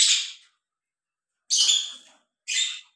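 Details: Lovebirds, a breeding pair, mating; three short harsh squawks, each about half a second long, separated by silent gaps, indoors.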